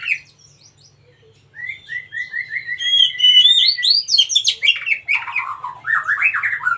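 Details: A wild Oriental magpie-robin sings a quick run of repeated upslurred notes that breaks into a loud tumble of varied whistles and chattery phrases, over a faint low hum.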